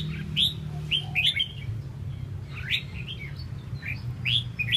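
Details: {'caption': 'Tail-fanning red-whiskered bulbul singing spaced, clear whistled phrases with quick upslurred and downslurred notes, repeated about every second, against a constant low background drone.'}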